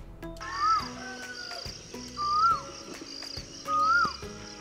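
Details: An Asian Koel in India, heard in early mornings and spring in cities, lightly wooded areas and gardens, gives three clear, arched whistled notes, each rising then dropping, about every one and a half seconds, over a steady high hiss and faint clicks.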